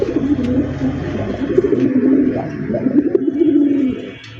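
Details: Large white Golla domestic pigeons, a breeding pair kept for sale in Bangladesh. Low, rolling, throaty coos repeat in uneven bursts for about four seconds, with faint clicks and room noise behind.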